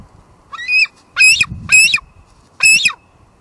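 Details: A female bald eagle calls at her Two Harbors nest on a July 2022 live cam. There are four harsh, high, piercing squeals with short gaps and a faint low rumble beneath.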